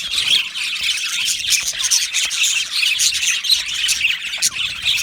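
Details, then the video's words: Budgerigar colony chattering in an aviary, with steady high twittering, quick chirps and a few harsher squawky notes mixed through the constant flock noise. "Budgie parrot chirping sounds"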